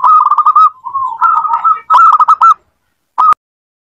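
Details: Zebra dove song meant to coax a quiet dove into singing: a run of rapid cooing notes slides into lower, rolling ones, then a loud stuttering phrase, a pause and one final clipped note.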